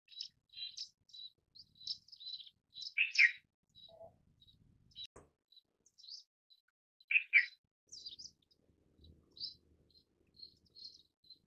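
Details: Lively twittering from Indian silverbill, with many high, thin chirps over about eleven seconds, broken by louder paired notes at two points and one sharp click midway.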